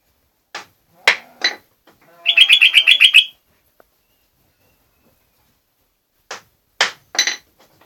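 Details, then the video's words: Chattering jogjog bulbul: sharp clicks and short notes, then a quick run of about ten ringing chirps on one pitch, followed by silence and more sharp clicks. "Burung jogjog gacor"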